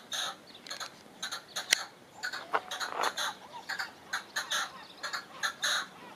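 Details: European goldfinch in continuous twittering song, a lively jumble of short, ringing, slightly nasal notes and chirps delivered rapidly with uneven rhythm, one sharp click near the middle.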